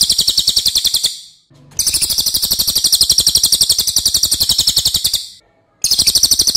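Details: Cililin's long, loud song for teaching other cage birds: rapid rasping pulses high in pitch, a long run of about three and a half seconds between shorter bursts.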